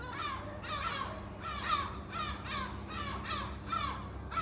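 Gulls give harsh, nasal squawks that often slur downward, repeated about every half second with a low steady rumble behind.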